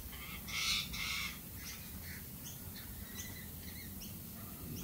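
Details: Galah in Australia giving a loud, harsh double screech near the start, followed by many softer, scattered high chirps from other birds over steady low background rumble.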